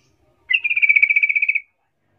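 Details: Sooty-headed bulbul rolling trill played as a lure to provoke rival bulbuls into replying: one rapid, even, rattling trill lasting about a second, clean with no other sounds.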